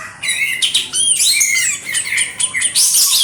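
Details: {'text': 'White-eared sibia, kapas tembak, delivering a rapid, varied stream of high squeaky whistles and sharp clicks, notes tumbling over one another with barely a pause.'}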